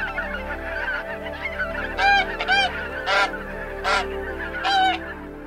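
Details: Goose giving five loud, nasal, harmonic-rich honks, single and in a quick double, spaced roughly a second apart after a quiet start, over a steady low background hum.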